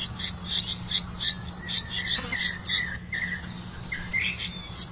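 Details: Red-vented bulbul feeding crickets to its young: quick bright chirps in a bouncing series, joined midway by lower, clipped notes and a brief pause, over a constant faint low hum.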